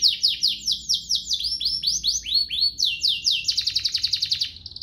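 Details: Domestic canary singing ornate phrases used to train young birds: repeated falling high sweeps, slower rising notes in the middle, then a fast buzzy trill at the close.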